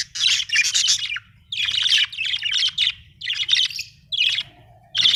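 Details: Budgie from Australia chirping happily: loud, scratchy, chattering bursts of about a second each, separated by brief silences, with a low background hum.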